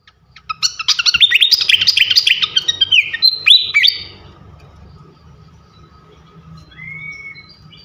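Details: Loud ngeplong song of the srikatan kipas, a fantail: about three seconds of rapid tumbling high twitters and whistled slurs, then quieter, with a thin whistle near the end over a steady low hum.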